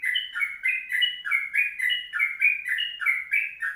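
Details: A long 'kongslet' song of the sooty-headed bulbul, delivered as an energetic rapid run for tutoring. Bright paired whistles step down and up in quick succession, with a higher clear note slipped in now and then. Quiet background.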